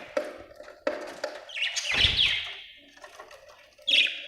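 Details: Budgies chirping with buzzy warbled chatter, a few sharp tapping clicks, and a final burst of rapid chirps, over a faint steady background tone.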